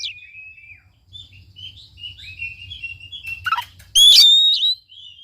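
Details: Oriental magpie-robin song for stirring a reluctant bird to sing: a string of soft wavering whistles, a few clicks, then one loud rich warbled phrase.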